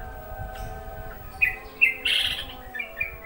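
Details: Wild yellow-vented bulbul that turned up while laundry was drying, recorded during the afternoon call to prayer, gives a few quick, bubbly chirps in a burst over about two seconds, over a low steady hum.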